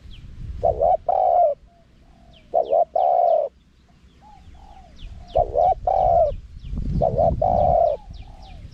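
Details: Spotted dove wild-style song in a high voice, played to lure wild doves. Four phrases, each a two-part wavering note then a long coo, separated by quiet gaps with faint soft murmurs.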